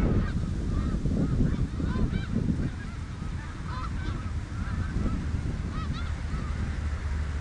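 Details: Snow geese calling on the Richelieu River: clear, yelping nasal honks tumbling over one another in a dense chorus, with louder low rumbling in the first seconds.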